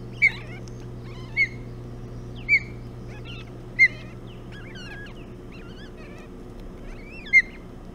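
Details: Hog Island ospreys feeding on a bullhead at the nest, early morning of 11 June 2017; clear, sharp, high whistled chirps repeated roughly every second, with softer twittering notes between and a low background hum.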